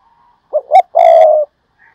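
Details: Decoy spotted dove, a prized singer said to be one in thirty, gives one phrase: a soft short note, a sharper rising note, then a sustained, slightly descending coo; a faint distant call follows.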